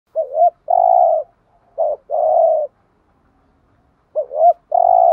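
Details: Spotted dove used as a decoy to draw other doves, giving clear low coos around 600–700: a short two-note rising coo followed by a long drawn-out purring coo, repeated three times in five seconds, no other sounds.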